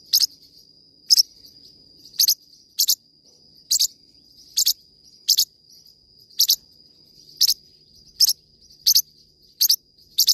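Parrotlet giving short, sharp, high chirps about once a second over a steady thin high whine, perhaps an insect.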